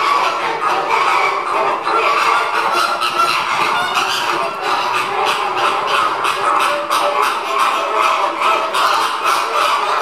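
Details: Caribbean flamingos calling while feeding: a dense, continuous chorus of nasal, goose-like honks and grunts from many birds overlapping, with no clear gaps and a steady din throughout.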